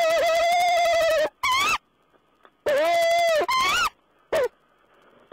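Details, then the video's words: Owl conversation, 14 April 2010: long harsh pulsed wails alternating with shorter upward-inflected squeals, in two bouts separated by a quiet pause, finishing with a brief sharp note. "Owl's talk"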